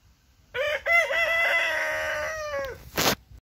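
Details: Orpington rooster crowing in a kitchen garden: a loud, harmonic-rich crow with a short opening burst, a brief break, then a long sustained held note of about two seconds that falls slightly at the end, followed by a short noisy flutter.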